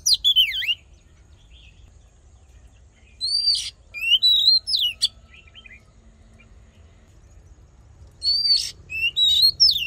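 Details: Oriental magpie-robin singing a fighting song used for voice training and rousing males: loud clusters of swooping whistles and sharp upswept notes, separated by quiet gaps of several seconds.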